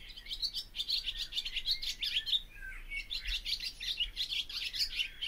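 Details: Barn swallow warbling a busy stream of high chirps and squeaks, with a brief downslurred note midway before the twitter picks up again.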